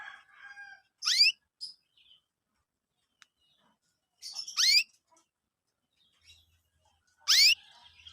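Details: Chirping of young canaries kept as training lure material for other canaries: three sharp upward-sweeping chirps, each a quick rising whistle, separated by roughly three-second gaps, with faint soft twitters between and little background noise.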